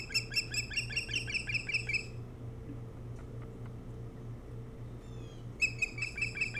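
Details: Nest-cam recording of an osprey on Hog Island, Maine, dawn of 07-03-2018. A fast string of shrill chirping whistles, then a pause with softer distant notes, then another quick chirping series, all over a mechanical hum.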